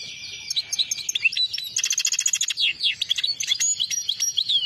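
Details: European goldfinch in full song: a dense stream of bright, buzzy trills and liquid twitters, with rapid repeated chirps and sliding whistled notes throughout.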